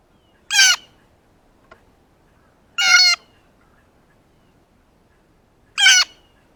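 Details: Close blue jay, excited upon seeing a ripe banana, gives loud harsh raspy calls, three in total, spaced roughly two and a half seconds apart, in otherwise quiet surroundings.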